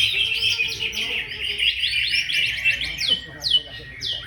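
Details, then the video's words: Competition song of a greater green leafbird: fast, varied twittering phrases giving way to clear, sweeping whistled notes that slide downward, repeated near the end. "Lomba burung cucak ijo"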